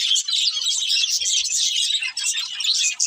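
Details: Breeding pair of budgerigars (love birds) chirping: dense, continuous high twittering and warbling chatter with quick overlapping chirps, steady throughout with brief dips, a few soft low thumps beneath.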